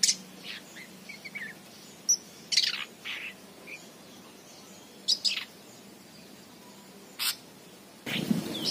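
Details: Long-tailed shrike chick outside its cage, singing actively: short scattered chirps and sharp high notes, some dropping in pitch, come in irregular bursts, with a louder broadband burst at the end.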